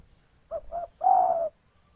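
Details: Female spotted dove, a local bird, calling to the male: two short soft coos followed by one longer, drawn-out descending coo, sung once.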